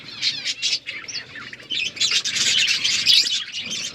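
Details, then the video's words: Eating budgies chirp in rapid, overlapping high twitters and raspy warbles, building into a continuous loud chatter in the second half. "Budgies eating food birds chirping sounds"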